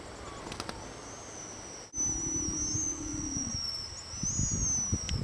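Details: Pigeon guillemots on an unattended camera: a thin, steady high whistle runs through the second half, with a fainter higher line above it. Low rumbling breaths and sounds below come from an elephant seal, and sea lions roar in the background.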